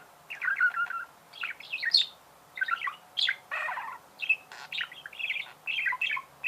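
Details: Lively budgerigar singing, quick chirps, squeaks and buzzy twittering notes following one another almost without pause, including a harsh rasp and a few sharp high accents.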